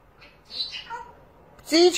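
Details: Domestic parrot, watching a cat through a window, mumbles a few soft descending syllables, then gives a loud, clear, harmonic word-like call at the end.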